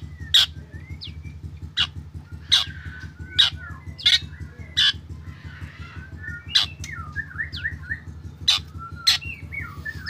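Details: Black drongo singing to draw others into song. Harsh clipped notes are interspersed with twisting whistled phrases and warbled slurs, with a persistent low droning hum underneath.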